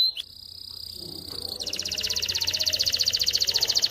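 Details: Male canary song intended to teach chicks and prompt females toward mating: a steady thin whistle held over a second, then a loud fast rolling trill of even repeated notes building in strength.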